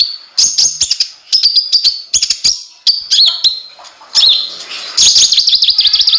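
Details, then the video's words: Kolibri ninja (konin) in vigorous song for tutoring cage birds: short phrases of very high whistled twitters with clicks, ending in a louder rapid trill. "suara burung konin gacor bisa untuk masteran semua burung"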